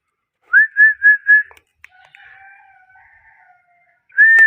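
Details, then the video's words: Pet parrot giving clear whistled notes: four short, even tones in quick succession, a thin fainter drawn-out tone, then one more loud sustained whistle at the end; quiet indoor background. "Parrot clean voice"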